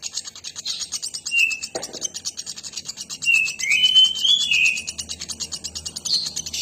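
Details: Nuthatch in full song with quick repeated high chips, around three per second, plus a cluster of bright slurred whistles near the middle; a brief low scratchy noise sounds early on.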